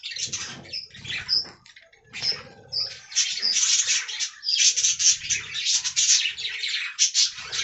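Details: Budgerigars in an aviary colony, a dense chorus of overlapping high, scratchy warbles and chirps, nearly continuous with brief dips, plus low soft thumps of movement.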